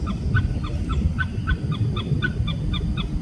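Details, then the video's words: Oriental pied hornbill calling in Singapore, a rapid series of harsh cackling notes repeated about every quarter second, with strong low rumbling background noise throughout. "Oriental Pied Hornbill .... Calls"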